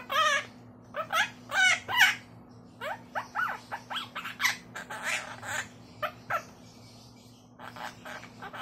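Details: Caged pet monk parakeet talking, copying household phrases and intonation such as hello and come here; strings of quick, speech-like syllables with rising and falling pitch, grouped in bursts with short gaps, over a low constant indoor hum.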